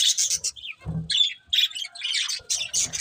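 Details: Chirping from a breeding pair of budgerigars: short bursts of high, buzzy chatter and a few clearer whistled notes, separated by brief gaps.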